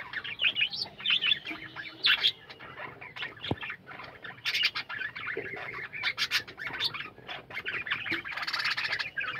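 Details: Captive budgerigar colony with bursts of scratchy chirping and louder squawky chatter from many birds, coming in uneven waves.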